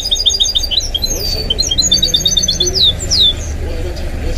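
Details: Pet goldfinch-canary mule in full song: rapid strings of high chirps and sweeping whistled slurs that tumble downward, with a low murmur of Arabic football commentary behind.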